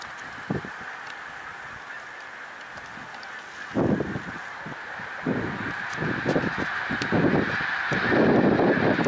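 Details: Snow geese gathered at Middle Creek Wildlife Refuge in Pennsylvania, 1 March 2021, a distant chorus of honks that swells midway as closer birds join with rapid, overlapping barking calls.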